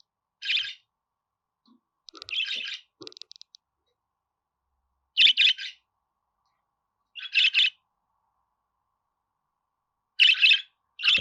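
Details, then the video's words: Pet budgerigar uttering bright chirps in twos and threes, separated by gaps of two to three seconds, with a short run of fine ticking notes early on. "Muhabbet Kuşu Sesi"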